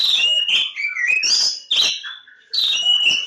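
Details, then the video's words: Oriental magpie-robin of the Javan form (kacer Jawa) in loud song: three bursts of clear, bright whistles that slide up and down, laced with harsh, scratchy chips, with a short quieter gap before the last burst. "Kacer Jawa lebakgowah"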